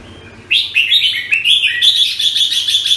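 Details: Red-whiskered bulbul, known locally as jambul, filmed in Singapore, giving a rich run of warbled, slurred whistles that starts after half a second and continues without break, with several bright upward flicks and a steady backing hum.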